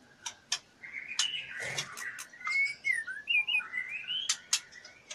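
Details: Female white-rumped shama in breeding condition, fluttering her wings while soliciting mating: soft, quick sliding whistles mixed with sharp clicks and brief harsh notes, set against a steady low background hiss.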